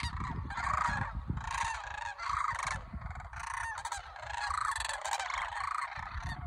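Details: Cranes gathered near Homer, Alaska, in early September 2023, full of pre-migration energy and taking practice flights; rattling, bugled calls from several birds come in bursts about every second, with a brief lull in the middle.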